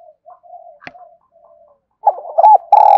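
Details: Spotted dove used for luring: faint, breathy low murmurs and a click, then a sudden run of loud hollow coos rising into a sustained note at the close.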